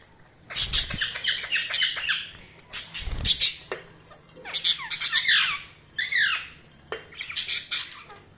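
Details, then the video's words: Budgerigars chattering loudly: repeated bursts of harsh, buzzy squawks and quick chirps, each lasting about a second, with a few low thumps. "Budgies Chirping sound"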